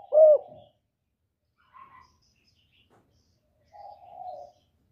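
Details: Spotted dove used as a lure for trapping gives one loud, throaty coo, then a faint short note and a longer, softer, level coo after a pause.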